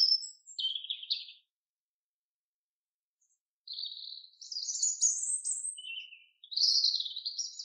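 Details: A chaffinch in a forest sings bright, rattling phrases that tumble downward and end in a quick flourish, then a second, longer phrase after a brief pause. No other sounds.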